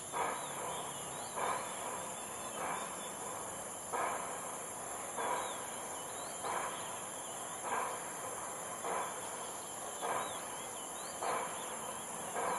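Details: Ruddy-breasted crake (Zapornia fusca) at Jurong Lake Gardens on 18 June gives short, harsh notes repeated steadily about once a second over a constant high insect whine.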